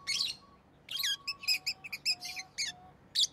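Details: Rosy-faced lovebird chattering in a quick series of shrill, buzzy chirps, with a faint steady whistle-like tone running underneath.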